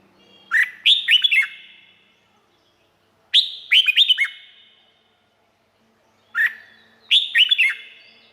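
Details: Red-whiskered bulbul in Thailand, song played to train birds or make them lively: three bright phrases of slurred, rising-then-falling whistles, each led by a short note, repeated about every three seconds against a quiet background.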